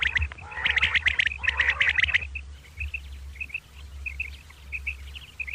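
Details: Common quail at morning: two loud, buzzy, nasal rasping bursts, then softer high clipped notes in small groups, over a low steady hum.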